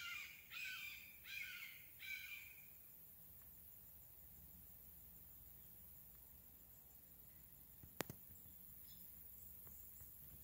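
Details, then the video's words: Red-shouldered hawk (Buteo lineatus) at Craighead Forest Park: three quick, fairly faint screaming notes in the opening seconds, then quiet woodland ambience with a sharp click. "Red-shouldered Hawk Vocalization"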